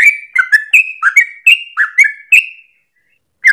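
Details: Vocal Yellow-vented Bulbul (trucukan), song used to train other songbirds; a burst of about ten bubbly whistled notes fading into a brief silence before one more note.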